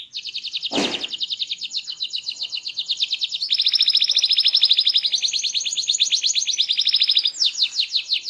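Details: Small canary singing loudly and continuously: long fast rolling trills shifting in pitch, with a brief click-like knock near the start.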